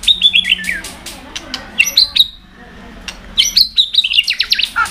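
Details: A white-rumped shama sings hard to stir other birds into song. Rapid high whistled notes step downward, then a pause is followed by a dense run of sharp clicks and bright whistled phrases.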